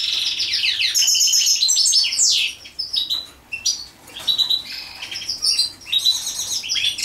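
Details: Mating European goldfinch song of liquid high twitters, sweeping down-slurred notes and buzzy trills, loud at first, then broken into softer, scattered bursts.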